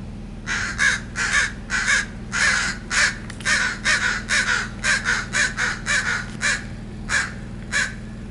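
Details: Backyard crows nesting in the yard in June 2017 give harsh, raspy territorial caws in uneven runs, nearly two a second, with short pauses; a low steady hum runs underneath.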